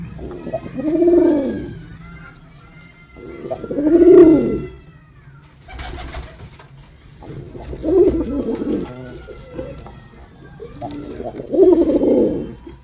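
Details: Male pigeon in display, four drawn-out rolling coos spaced roughly three to four seconds apart, low and resonant, with faint room echo and light rustling between phrases.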